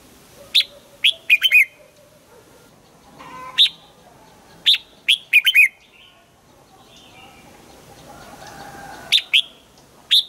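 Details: Red-whiskered bulbul kept for song training sings short, brisk phrases of two to five sharp whistled notes, repeated several times across the stretch with quiet gaps and faint background hum.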